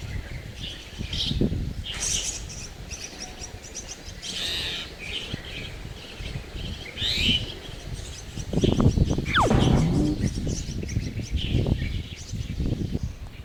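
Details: Baby chestnut-tailed starlings in a tree-hole nest: scattered high chirps and squeaks in irregular clusters, partly masked by heavy low rumbling and handling-like thumps, with a brief sharp rising note near the end.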